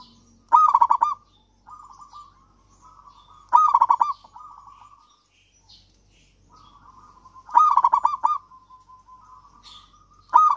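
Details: Zebra dove, local Javanese stock, singing persistently as a lure for lazy doves: loud, rapid rolling coo phrases repeat roughly every three to four seconds, separated by quieter level trills and brief pauses.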